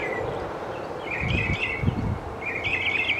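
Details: Northern mockingbird in Central Texas duelling with another bird; two brief runs of bright, rapidly trilled chirps about a second apart, with low wind buffeting in between.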